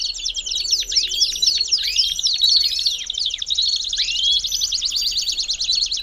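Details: Belgian canary singing a dense mix of fast trills and looping, arched whistles. It ends in a steady, rapid, rattling trill. Meant to warm up a canary.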